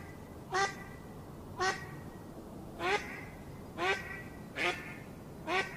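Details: Duck on a pond calling six separate quacks, each a short rich honking note with strong overtones, spaced roughly one second apart over quiet background.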